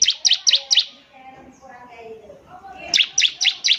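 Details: Bar-winged prinia singing, recorded to train young birds: four quick, high, downslurred chirps, a pause of about two seconds with faint background sound, then another run of four matching chirps.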